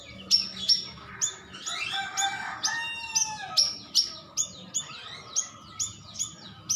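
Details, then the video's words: Stripe-throated bulbul lure for getting birds to reply: quick, piercing high chirps, each dropping in pitch, interrupted midway by a lower, chattering warble, then resuming at a brisk pace. "Suara pancingan paling ampuh biar cepat nyaut,burung cucak rawis"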